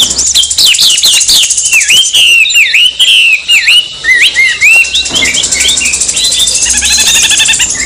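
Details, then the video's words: Oriental magpie-robin song used as a lure to rouse another bird into agitated singing: loud, rich whistled phrases with sweeping rising and falling notes, then after about five seconds a rapid, high, chattering trill. "Suara kombinasi KACER agar EMOSI, coba aja buat pancingan biar bunyi gacor"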